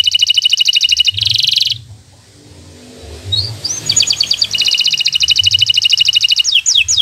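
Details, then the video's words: Song of a local bottle-green canary, played as a master for young birds learning to sing: dense fast buzzy trills, a short gap, then rising whistles leading into a long rapid rattling trill; low rumbling noise underneath. "Suara Burung Kenari Gacor Cocok untuk Pancingan Burung Belajar Bunyi"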